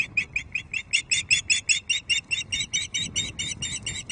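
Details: A female Osprey at Loch Arkaig, evening of 5 May 2023, waiting for her mate's fish: a long, insistent run of piercing, harsh piping notes, about four each second, growing louder and staying steady throughout.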